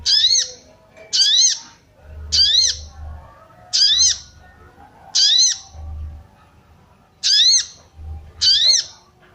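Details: Female sooty-headed bulbul, calling to arouse males: eight sharp, buzzy arched notes delivered about every second, loud and clear over a quiet low hum.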